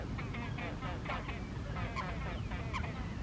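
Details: Great crested grebe at Lazise, Lake Garda, Italy, 23 February 2023, giving loud, harsh, nasal calls in quick repeated bursts over a steady low rumble of wind or engine noise.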